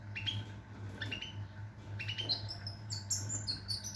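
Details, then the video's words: European goldfinch with short upward-sweeping tinkling notes and scratchy twitters, fairly soft, over a steady low hum. "Chardonneret , El jilguero , bird , cardellino pezzato , GOLDFINCH SONG"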